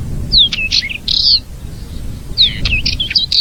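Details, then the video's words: Brazilian Fim-fim, or Purple-throated Euphonia, delivers two short bursts of high, tumbling notes: a falling slur followed by quick squeaky twists, with a pause between them. "CANTO HIPNOTIZANTE do FIM FIM"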